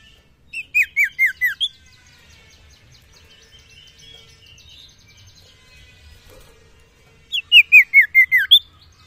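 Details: Common iora, called sirtu, singing to call females: two bursts of about six clear whistled notes, each slurring downward and stepping lower, separated by a quiet pause of several seconds.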